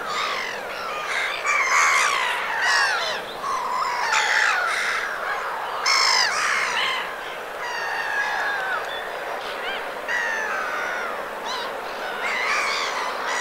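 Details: Black-headed gulls in winter plumage, Vilaine estuary, Morbihan, France, 22 February: many overlapping harsh, nasal, down-slurred calls, several birds calling at once in a steady chorus throughout.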